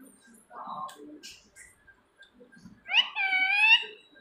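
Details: Pet talking parrot indoors, calling its owner's name and asking where they are: a murmured low voice first, then a loud, nasal, drawn-out speech-like cry from the bird in a small room.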